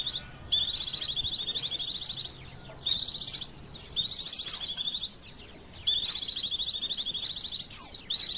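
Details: Oriental white-eye in an emotion and arousal test: nearly continuous, shrill, fast twittering song of tumbling high notes, broken by only a few short pauses.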